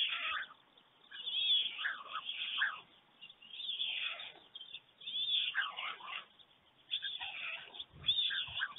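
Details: White storks at a nest in Germany, 5:38 a.m., 24 June 2020: an adult returns, the pair greet and clatter bills, and it regurgitates food for the single storklet; harsh, wheezy, cat-like mewing bursts in irregular bouts.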